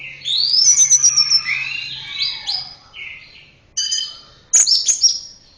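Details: Orange-headed thrush producing sweet descending whistles and warbled notes, then after a short pause sharp high chips and squeaky phrases.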